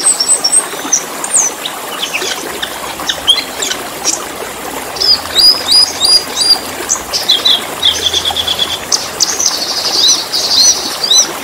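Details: Black-winged starling song used as training material for caged birds: varied high chirps, short whistled slurs and buzzy rattling phrases in quick succession, with a soft trickling background.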